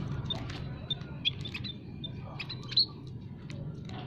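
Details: Munias calling in an aviary, a lure for catching wild birds: sparse, thin, high-pitched tweets and a few sharper louder chirps scattered over a soft low rumble.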